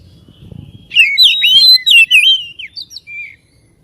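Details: A short phrase of Oriental magpie-robin song, used to excite a caged bird to sing and spread its tail: a quick rush of bright, warbling whistles that ends in one thin, level note.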